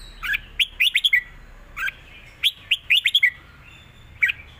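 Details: Southern Thai style song of a caged red-whiskered bulbul, recorded as a teaching model: repeated phrases of four or five crisp, liquid whistled notes, rising then dropping, with roughly a one-second gap between phrases.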